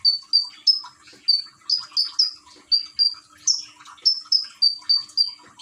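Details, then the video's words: Common iora from Gresik, East Java, singing beside trickling water meant to calm and prompt it, phone-recorded: a fast, steady run of bright high whistles, about three per second, some briefly rising, with water splashing underneath. "Burung konin rajin bunyi dengan terapi gemercik air"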